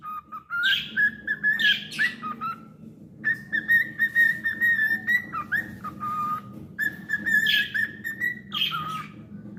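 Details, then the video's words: Singing pet cockatiel gives long, level whistled phrases that dip and rise, mixed with brief sharp squeaky notes, in a rapid, steady run of about two per second. "Adorable Cockatiel Milo's Cute Singing Moments"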